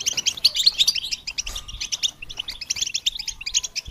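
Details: Goldfinch singing for songbird training, a rapid stream of sharp high twitters in bursts, thinning briefly in the middle before the chattering picks up again.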